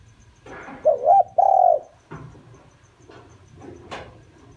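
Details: Spotted dove used as a decoy, cooing to draw in wild doves: a short wobbly coo followed by a longer level coo, then several dry clicks and taps in the background.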